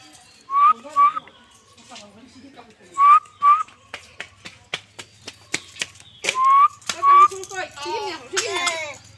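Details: A caged common myna gives paired, rising whistles and speech-like chatter, mimicking human talk.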